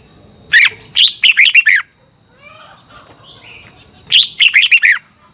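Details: In Thailand, a caged red-whiskered bulbul gives 'double' style song for note-count training. Two loud phrases of five or six rapid, chirpy whistled notes arrive about three and a half seconds apart, with a constant thin electronic whine behind them.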